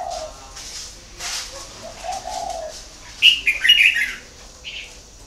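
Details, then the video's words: Spotted dove kept at a breeding farm in Ba Vì, Hanoi, northern Vietnam: a brief low coo at the start and a longer mellow coo phrase before mid-clip, then a loud flurry of high-pitched chirps from other birds. "chim cu gáy hay miền bắc"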